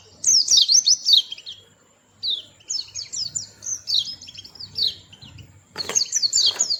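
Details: Playful little white-eye with a melodious voice sings a run of high, rapid, zigzagging twitters in several bursts, ending with a loud flurry, over a faint low hum.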